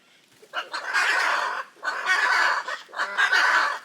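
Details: Hyacinth macaws from the Pantanal, Brazil, giving raucous harsh squawks: three long grating calls about one second each, rough and broad, with brief gaps between them.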